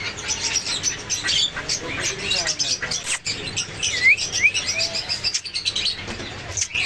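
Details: Parrots chattering in a group: dense bursts of harsh, high squawks and short rising whistled notes overlap irregularly, with a faint low hum underneath.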